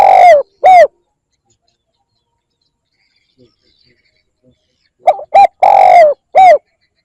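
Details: Spotted dove call used to lure other birds: loud, low coos in short grouped bursts, two notes at the start, then after a long silence a quick cluster of three to four coos with a longer descending note.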